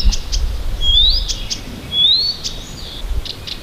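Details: Morning singing of a small Siberian bird near Tomsk: two long rising whistles separated by sharp chirps, clear and high, with low background rumble.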